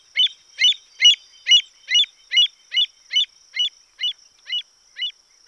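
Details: Western avocet uttering a long, regular run of thirteen loud, shrill yelping notes, roughly two to three per second, fading slightly toward the end, over a faint continuous high hum.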